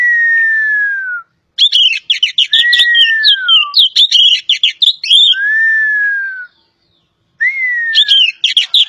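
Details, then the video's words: Oriental magpie-robin (kacer poci) from Java in full song. Long, pure, downward-sliding whistles alternate with rapid, jumbled bursts of chattering and twittering notes, then a pause and another whistle-and-chatter phrase. "BURUNG KACER POCI JAWA"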